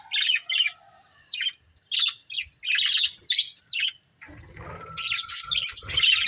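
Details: Chirping from a breeding pair of budgerigars, delivered as a series of short scratchy bursts separated by brief pauses, followed by continuous harsh chatter with a faint steady tone underneath.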